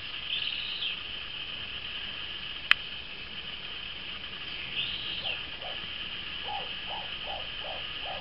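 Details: Moustached turca (Pteroptochos megapodius), a group apparently in courtship; in the second half a short series of about seven low, hollow notes repeated roughly every third of a second, over a steady high-pitched hiss and faint higher notes early on.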